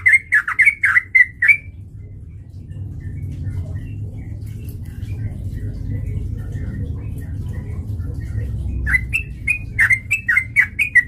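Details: Fighting song of a sooty-headed bulbul, used as a lure to provoke a rival: a quick burst of loud slurred chirps, then several seconds of near silence with low rumble, before the chattering resumes.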